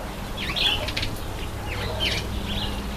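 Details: Red-headed finch, also called red-headed amadina, bathing; short chirpy calls with a downward-then-upward sweep, about three in three seconds, with wing flutters and soft background noise.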